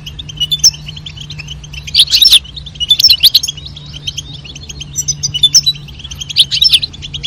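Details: Goldfinches calling and singing, female and male, to stimulate mating: soft continuous twitter broken by loud jangling bursts of chirps roughly every second, repeated about five times.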